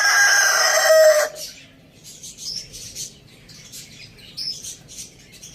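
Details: Farm-village rooster finishing a loud harsh crow that stops after about a second, leaving soft scattered chirps of small birds.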